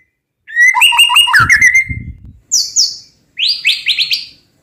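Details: White-rumped shama song in full repertoire: a fast run of varied whistled and chattering notes, then high, sharp, descending notes in two short bursts, with a faint low thud underneath.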